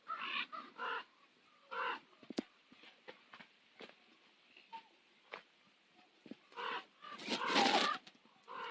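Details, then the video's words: Ravens calling at sunset over Nose Hill, Calgary: scattered hoarse croaks and sharp clicks, ending in a loud, long, grating burst near the end. "Calgary sunset - Nose Hill Ravens"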